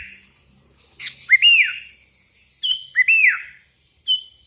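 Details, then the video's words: Sooty-headed bulbul challenging rivals with lively, loud phrases: a short rising note then an arched, slurred whistle falling away, repeated twice before a brief closing note. "Suara burung kutilang gacor memanggil lawan"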